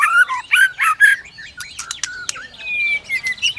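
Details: White-rumped shama singing to provoke other shamas into fighting song: three harsh, buzzy whistled notes, then sharp clicks and a thin, steady whistle that slides gently downward.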